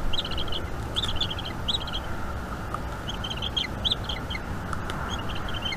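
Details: Young bald eagle at a Northeast Florida nest calling during an evening feeding by its mother, 5 May 2021. Short bursts of rapid, high, squeaky chirps, roughly one burst per second, over low wind noise.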